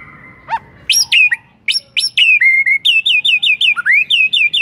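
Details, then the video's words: White-rumped shama song used as a lure to set other shamas singing: a rising sweep, then loud clear whistled notes at high pitch, speeding into a rapid run of short repeated slurred whistles. "Belum 1 MENIT di PANCING Murai manapun AUTO GACOR NGEPLONG mendengarnya"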